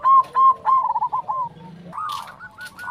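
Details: Zebra dove manggung song used to stimulate others of its kind to sing: quick runs of clipped, bubbling coos that slide downward and then pick up again in a higher, rippling burst.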